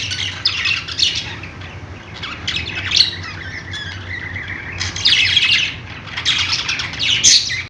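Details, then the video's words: Parakeet chirping: scratchy warbled phrases and sharp squawks rising in busy bursts, then briefly easing before resuming loudly, with a low hum behind. "budgies sounds | parakeet chirping sounds"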